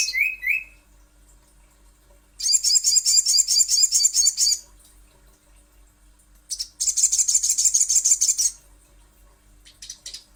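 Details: Little spiderhunter lure recording: two bursts of rapid, piercing repeated chips, each lasting around two seconds and several seconds apart, following a couple of short rising whistles at the start.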